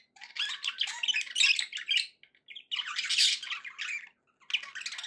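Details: Happy budgies kept as pets chatter in dense, harsh warbling runs of squawky notes, two long bursts split by a brief quiet gap, then more chatter.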